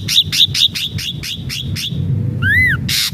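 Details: Ashy drongo singing strongly, played to make captive birds sing: seven evenly repeated whistled notes, then a lower arched slurred whistle and a harsh rasping burst, low rumble behind.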